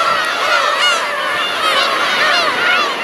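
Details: A huge flock of black-tailed gulls, described as making mewing "nyaa nyaa" cries: dense overlapping nasal, wavering mews from many birds at once, forming a continuous loud chorus.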